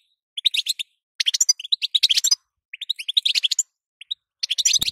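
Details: Female European goldfinch batbata calls, with sitsita notes, intended to make the male sing; clipped bright chirps grouped in rapid clusters separated by short silences, some notes slightly rising.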